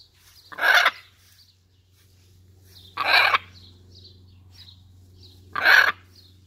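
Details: Captive, very tame Hyacinth macaw at a parrot centre in Prague, Czech Republic, talking while enjoying a shower: three loud, harsh, broad vocal bursts spaced about two and a half seconds apart, with faint high chirps in between and a steady low hum.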